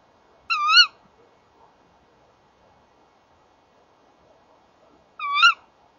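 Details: Male and female tawny owls calling together at their nest box, evening of 30 January 2014; two short, nasal kewick calls with a wavering pitch, spaced about four and a half seconds apart, with near silence between them.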